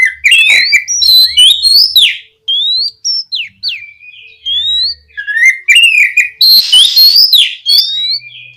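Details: Long, rich song of an oriental magpie-robin, meant to trigger singing in untrained birds: busy warbling whistles, clear rising and falling notes with a steady mid-pitched whistle, then a harsh buzzy burst and more warbles.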